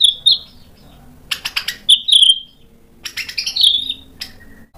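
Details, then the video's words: Provoked white-rumped shama sings short whistled phrases broken by dry clicking rattles, then a falling slurred whistle, with a faint low hum behind. "PANCINGAN MURAI BATU BIKIN EMOSI JADI NYAUT GACOR BONGKAR MATERI ISIAN | SHAMA BIRD"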